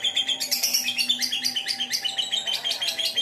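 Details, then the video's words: Lovebird giving the long trilling ngekek song, starting with ngetik notes, used as a lure to make other lovebirds sing: rapid high shrill chirps repeated about three per second in an unbroken chattering run, with a faint low hum. "pancingan Lovebird ngetik sambung ngekek"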